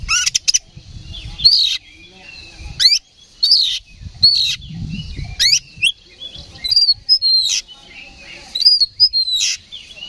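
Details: Oriental magpie-robin, loud fighting song aimed at stirring up a rival: repeated sharp upslurred and downslurred whistles roughly every second, mixed with brief harsh notes, over quiet low background rumble.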